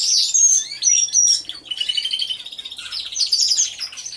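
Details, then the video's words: Many canaries singing inside their aviary, recorded by a hidden camera: piercing whistled notes open into continuous buzzy rolls and rapid twittering. "CANTO DE CANARIOS | AVIARY SOUNDS (SONIDO REAL DE UN AVIARIO DE CANARIOS)"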